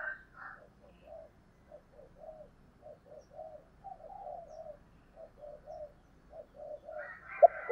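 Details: Female spotted dove with a 'thổ đồng' voice style, played to lure wild males: a rapid run of short, soft, low coos, about three or four each second, framed by higher, harsher notes at the start and end.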